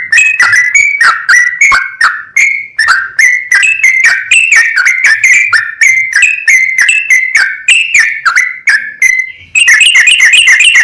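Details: Sooty-headed bulbul pouring out continuous song intended to provoke rival bulbuls: an unbroken string of liquid, bending whistles at a brisk pace, ending in a quick run of bright rapid chips.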